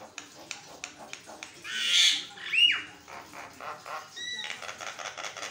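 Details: Continuous Javan myna song meant to coax other mynas into answering: a run of dry ticking clicks, then a loud harsh burst, a sharp downslurred whistle, and more rapid clicking chatter with a brief clear whistled note.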